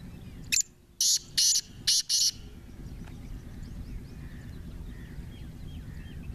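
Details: Partridge known for 28 calls, kept for fighting: five quick, harsh, buzzy bursts open the recording, then low background noise with faint distant chirps from other birds.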